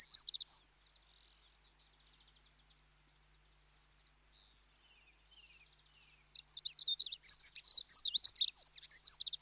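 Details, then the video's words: Dunnock giving a brief high burst at the start, then near-silence with faint thin twitters, before a loud, fast, jumbled high-pitched warble of squeaky notes runs from about six seconds to the end. "Dunnock (Prunella modularis) Sound Effect"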